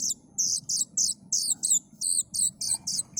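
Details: Plaintive cuckoo chick making fast, repeated high buzzy notes, roughly three per second, each short and scratchy. A low hum lies underneath.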